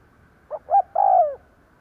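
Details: Spotted dove kept as a decoy bird to lure wild doves, giving one cooing phrase: two short soft notes, then a longer drawn-out coo that falls at the end. The background is quiet.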